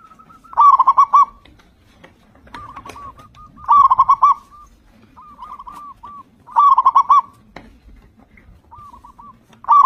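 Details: Zebra dove of local stock singing loudly, as a lure for others to start singing. Bubbling phrases of four or five quick coos repeat about every three seconds, each followed by quieter trailing coos. Faint clicks sound in the background.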